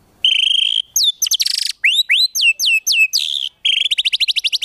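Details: White-rumped shama masteran with 'tembakan' fill for competition birds: a steady high whistle, buzzy bursts, a string of looping swept notes, and a fast repeated ticking trill at the end.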